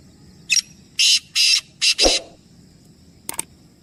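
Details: One black francolin phrase from a trio of birds: a click and four coarse buzzy notes, a dull thump near the end of the phrase, then a faint distant click.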